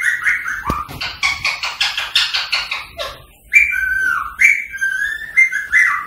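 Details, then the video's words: Whistling and chattering of a green rose-ringed parakeet, meant to encourage singing and mating: opening whistles give way to a run of rapid scratchy squawks, then a string of clean, slightly falling whistled notes. "تعليم ببغاء الدرة التغريد والغناء والتصفير والطقطقة للتحفيز على التغريد والتزاوج الدرة الهندي"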